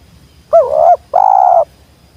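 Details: Wild spotted dove delivering a single two-part call up close: a fluttering, slightly rising coo, then a drawn-out level coo lasting about half a second, with a quiet background.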